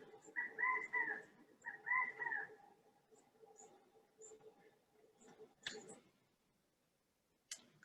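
A California Quail gives two loud, ringing calls of a few notes each, about a second apart, over a low steady hum, with faint clicks later.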